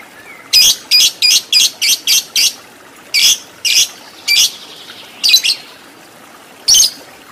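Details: Lovebird on a fighter training recording aimed at the long 'ngekek panjang' song. A quick run of seven harsh, high squawks opens the clip, followed by scattered single and doubled squawks with short pauses between them.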